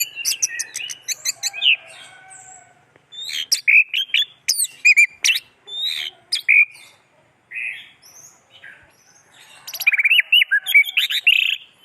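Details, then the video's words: Orange-headed thrush in full song: a varied, rambling stream of sharp chirps, slurred whistles and short trills, with brief gaps between phrases. "Anis Merah"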